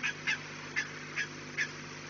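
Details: Peregrine falcon calling at the nest on 4 March 2019 at 16:28: five hoarse, clipped notes spaced roughly every half second against a steady hiss and low hum.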